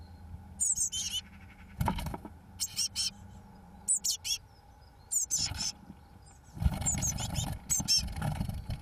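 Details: Eurasian blue tit chicks on day 21, 1 June 2012, as the first two chicks fledge; short bursts of thin, high chirping in clusters, broken by low rumbling thumps and background noise.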